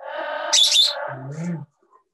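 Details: Two parrots at a safehouse, live, trading vocalizations that seem to use English words; a buzzy, voice-like phrase breaks into a shrill high squawk, then a low, steady, speech-like tone ends it.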